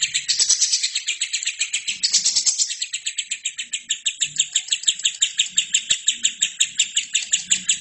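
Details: Caged lovebird singing an energetic training song used to tutor other birds: a long, fast chattering trill of high, buzzy notes pulsing about three times per second, with brief louder bursts and no other clear sounds.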